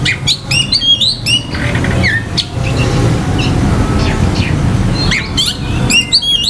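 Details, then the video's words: Oriental magpie-robin singing to provoke rival males' aggression and breeding urge: bursts of quick slurred whistles and clicks at the start and end, with a quieter stretch of scattered notes over constant low rumbling noise. "KICAUAN KACER || CEPAT MERANGSANG KACER LAIN TERDONGKRAK EMOSI DAN BIRAHINYA."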